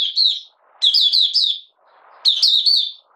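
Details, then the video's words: Malaysian Oriental white-eye in buka sing, recorded 31 July 2023 while in minor moult and not in form; short high twitter, then two fuller bursts of rapid sliding whistled notes with quiet rustling between. "Malaysian Mata Puteh Buka Sing"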